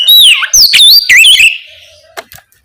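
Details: Oriental magpie-robin singing boldly at night as a lure for young spotted birds: one short phrase of swooping whistles and a falling slur, followed by two faint clicks and silence.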